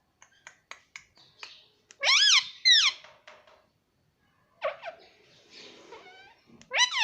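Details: Baby parrot kept as a pet in a small room: a run of quick clicks and ticks, then two loud harmonic screeches that rise and fall, a pause, more raspy squawks, and a final screech.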